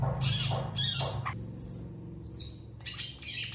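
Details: Long-tailed shrike (Lanius schach) song: harsh, scratchy chattering bursts broken by thin, high whistled notes over a steady low hum; a lively singer said to respond quickly to other long-tailed shrikes.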